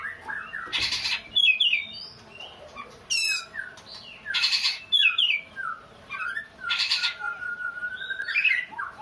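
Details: Oriental magpie-robin producing a sobbing, crying-child-like sound: repeated loud grating rasps roughly every two seconds, mixed with quick chirps, trills and a long rising whistled note.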